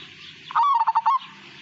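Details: Single phrase from a Majapahit-type zebra dove: a short rolling run of five or six quick pulsed coos, over a soft low hum.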